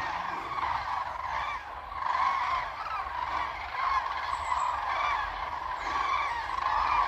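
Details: Distant flock of wild common cranes on lagoon meadows near the Baltic coast in Germany, some lifting into flight after being disturbed; overlapping trumpeting, honking calls from many birds blend into a steady chorus with faint background hiss.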